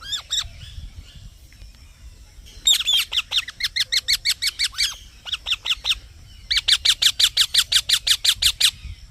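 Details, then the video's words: Green parrot chirping in rapid bursts of sharp, high, harmonic notes, about three per second, in three runs separated by short pauses; faint low background rumble. "Green Parrot Chirping Sounds"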